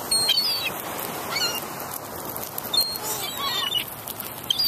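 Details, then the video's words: A busy flock of gulls calls over one another with harsh, nasal, yelping notes, some short and clipped, others drawn out, against a steady background hiss. "Seagull Sounds"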